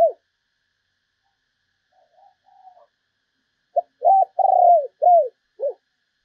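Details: Lure spotted dove used to attract other doves: after a near-silent stretch with faint murmurs, one full low cooing phrase of a short note, a long rolling coo and three falling coos.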